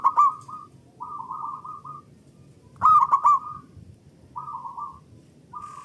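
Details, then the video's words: Local Indonesian zebra doves singing loudly in answer to each other, used as a lure to stimulate other doves to sing: cooing phrases, each opening with a ringing, clipped accented note and trailing into a rolling, purring series, repeated with short pauses. "Pancingan Burung Perkutut Lokal Gacor Dor Bersaut Sautan $uara Keras Panjang"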